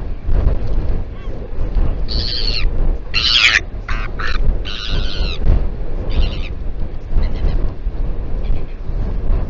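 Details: Royal albatross at the breeding colony on Taiaroa Head near Dunedin, New Zealand, on a live nest cam, gives a run of harsh, braying calls in short bursts over a few seconds against a heavy, steady roar of wind.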